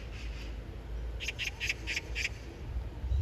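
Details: Oriental magpie calling persistently for a mate: a quick burst of about six harsh, grating kak notes in close succession, set against a constant low-pitched rumble.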